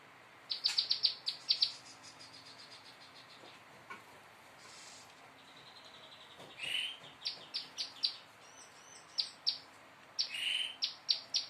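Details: Young prinia learning to sing: clusters of sharp high chirps repeated rapidly in short bursts, with a few buzzy, rasping notes between them and quieter pauses.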